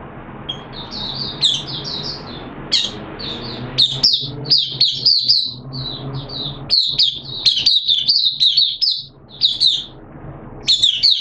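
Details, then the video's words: Oriental white-eye kept in a cage, singing on the second day of a monthly deworm treatment in September 2022: long run of fast, high twittered notes and sharp upslurred chirps, brief pauses between bursts, faint indoor hum. "Mata Puteh T Rex Buka Sing"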